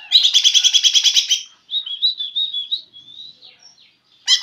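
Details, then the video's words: A greater green leafbird practising song: a quick run of about a dozen bright, high chirps, then a thin, wandering warble and a final sharp burst. "Cucak ijo belajar bunyi"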